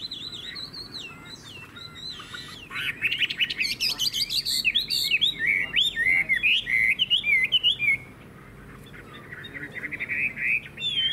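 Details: Vietnamese cage-kept Chinese hwamei, described as a loud, good singer, giving a few looping whistles, then a fast rhythmic series of rising and falling notes about four per second, ending in a quieter mellow warble.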